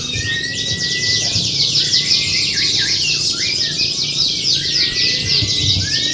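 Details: Canaries singing in a contest-style simulation meant to train a bird's mental readiness; a continuous stream of rapid high chirps, trills and downward sweeps over a low hum, with faint murmuring.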